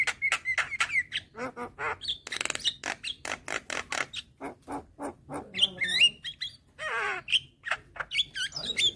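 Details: A young white-eyed Javan myna gives its head-bobbing call, used to lure hybrid mynas. Harsh clicks and chattering notes come in quick succession, with clear whistled tones near the start and end.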